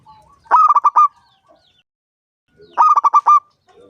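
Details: Big-voiced local zebra dove of wild stock, five years old, used to invite other doves to sing; two rhythmic phrases of five or six quick coos each, the final note held, about two seconds apart.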